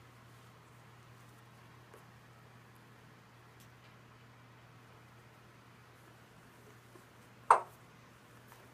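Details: A quiet indoor room with steady fan or appliance hum and a single sharp click near the end, no animal voice heard.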